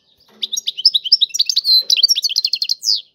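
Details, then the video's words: European goldfinch twittering in the tiwawati song style: a lively, jumbled sequence of high chirps, short buzzes and quick trills, with two longer nasal buzzy notes. "اعظم تغريد الحسون طيواواطي"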